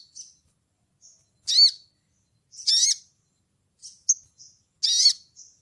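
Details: Calling to a rival in ngleper style, used to provoke other birds, a crimson sunbird mixes three loud, harsh, arched high notes with sparse thin chips and a sharp single tick in a quiet background.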